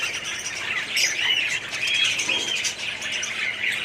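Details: Short burst of a budgerigar aviary colony, 2017: overlapping chirps, squeaky warbles and squawks from many birds blended into a continuous high chatter.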